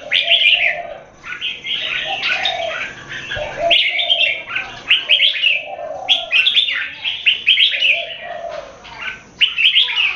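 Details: Red-whiskered bulbul in a singing competition in Singapore, an open-tail bird matched against a long, loud singer: bright warbled phrases in bursts of one to two seconds, repeated with short pauses, several overlapping voices.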